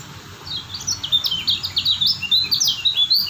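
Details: White-eye from Lombok, described as a steady singer: rapid, dense high chirping twitter of short sliding notes, continuous throughout with rising and falling phrases, faint low background hum.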